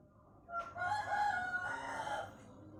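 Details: Pelung chicken, whose crowing grows longer as it matures, giving a harmonic crow of nearly two seconds with a wavering, bending tone over steady low background noise.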